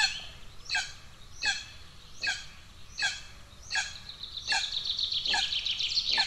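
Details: Hungry golden eagle chicks at a nest in Estonia, 2 June 2024, with aggression between siblings. Descending, harmonic begging calls repeat roughly every three-quarters of a second, with songbirds singing loudly around them.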